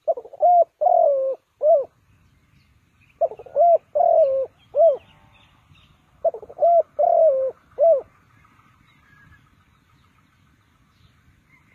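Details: Three repeated phrases from a spotted dove decoy for bird trapping, each a hurried stutter, a drawn descending coo and a crisp final coo, spaced roughly every two and a half seconds in quiet surroundings.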